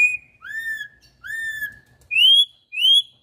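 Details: Rich whistled phrases from a campo troupial singing wild-style song: two falling slurred notes followed by two brighter rising whistles, loud and clean against a quiet background.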